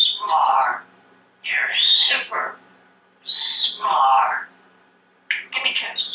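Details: Male African grey parrot kept as a talkative house pet, speaking about food, colours and counting: voice-like phrases in four bursts separated by short pauses, ending with crackly clicks.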